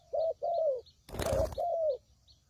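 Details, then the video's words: Spotted dove cooing as a lure for trapping. Two smooth, falling coos, then a loud rustling or flapping burst, and another long coo. Faint high chirps are behind it. "Suara Pikat Burung Tekukur"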